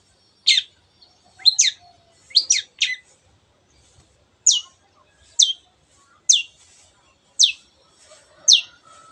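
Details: Long-tailed shrike in energetic 'teot teot' song, used to excite other birds into singing: sharp, high downward-sweeping notes given singly or in quick pairs, about one each second, with quiet gaps between.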